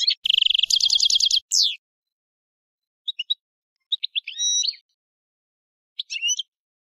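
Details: European goldfinch: a rapid rattling trill of repeated notes followed by a downslurred note, then scattered chirps and a short nasal twittering phrase after pauses.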